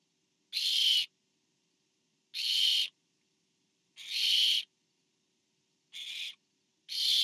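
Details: Hissing screeches at a barn owl nest during a food delivery from parent to owlet, September 2015. Five rough, noisy bursts are spaced one to two seconds apart. The fourth is briefer and quieter.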